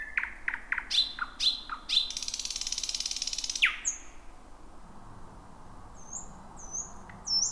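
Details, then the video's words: Thrush nightingale singing near midnight in a thicket: sharp falling clicks and short whistles, then a long dry rattle, ending with faint high slurred whistles. "Whippavoo the Thrush Nightingale 2026"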